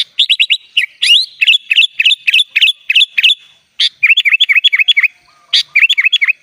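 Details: Sooty-headed bulbul (kutilang) in vigorous 'gacor' full 'isian' song, used as a tutor recording for training birds: rapid runs of sharp, high chirps, a quick series of about ten, a brief pause, then another fast burst, with no other sounds.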